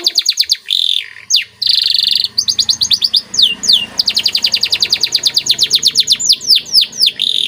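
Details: White canary singing a masteran training song: buzzy notes and falling whistles lead into a long, fast trill of evenly repeated high notes with downward sweeps.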